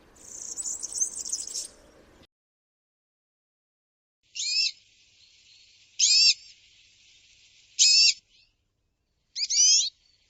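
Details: European serin (Serinus serinus) song, a diagnostic rapid, liquid twitter of high notes: a brief, very high jingling twitter, then four short, fast, metallic trilled bursts about every two seconds, with faint low noise at the start.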